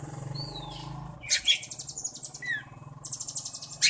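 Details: Oriental magpie-robin flicking its tail while singing: thin descending whistles, then dense buzzy, rattling bursts and another down-slurred whistle, over a steady low hum.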